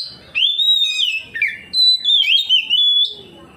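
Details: A kacer, or Oriental magpie-robin, in strong 'ngeplong' song answering another bird: long pure whistles that waver and dip, a short break, then more drawn-out whistled phrases ending on a steady note.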